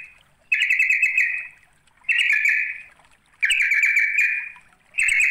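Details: A sooty-headed bulbul calls to draw in a rival, giving four bubbly, chattering phrases about every one and a half seconds. Each phrase starts sharply and fades, with quiet gaps between.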